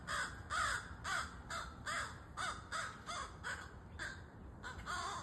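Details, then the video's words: Crow chick calling: a rapid series of short, harsh, nasal caws, about ten in five seconds, each with a bent, arching tone, delivered in a steady insistent rhythm. "Crow Chick"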